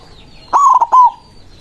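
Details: One loud coo phrase from a white zebra dove calling rivals: a steady low note broken by quick stutters into three parts, in quiet surroundings.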